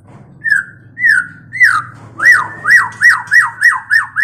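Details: Mating white-rumped shama, kept as a cage bird for song therapy: a run of loud, clear whistled notes that drop in pitch, slow at first, then repeated about twice a second.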